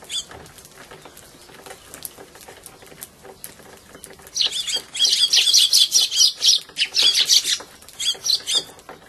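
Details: House sparrows fighting while eating at a feeding spot and hiding in a bush, 8 February 2011: harsh, chattering chirps burst out in rapid, overlapping series, high and scratchy, after a quieter stretch of soft pecking and rustling.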